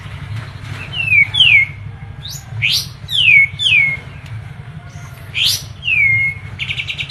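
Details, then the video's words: Medan kapas tembak, a white-eye, delivering bright downslurred whistles in pairs, separated by short pauses, with high chirps between and a brief fast trill at the end, over a low hum. "KAPAS TEMBAK MEDAN GACOR ISIAN SUARA PEDAS NGEROLL SPEED NEMBAK EDAN LEPAS TROTOL"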